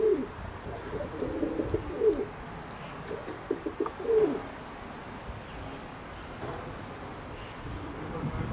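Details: Owned pigeons producing a cluster of low, gurgling coos in the first half, then quieter background murmur with only faint coos toward the end.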